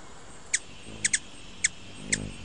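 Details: Ruby-throated hummingbird giving short, sharp, high chip notes, five in about two and a half seconds, spaced irregularly with one quick double chip, over a quiet background with faint low rumble.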